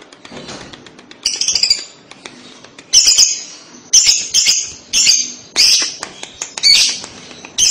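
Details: Lovebird calls meant to coax young lovebirds into calling back: a series of shrill, buzzy chattering bursts about a second apart, each a cluster of quick high notes, with brief pauses between.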